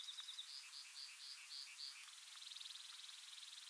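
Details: In dense big sagebrush near Silver City, Montana, at sunrise in July 2022, a Brewer's Sparrow sings its territorial long song: high, thin trills shifting in pitch and speed, buzzy at first, then quick notes, then a rapid even trill.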